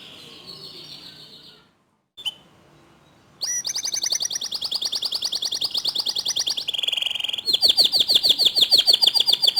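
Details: Canary song played to coax other canaries into song: a faint, quiet opening, then a long rapid high trill, a lower buzzy trill and another fast bright trill.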